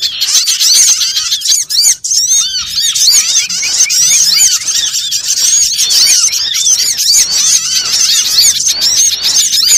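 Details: Trapping lure recording of small birds: a crowded flock twittering nonstop, with countless short, high, curved chirps layered on top of one another and brief squeaks rising above the mass.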